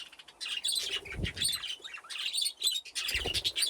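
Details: Budgerigars in an aviary with nesting boxes, chirping busily in bursts of high rapid notes, with wing flutters and low bumps between them.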